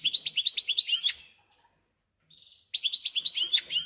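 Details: A recently acquired caged goldfinch-canary hybrid, settled in after 2–3 days, sings rapid, bright twittering phrases of quick repeated high notes, pausing briefly before resuming.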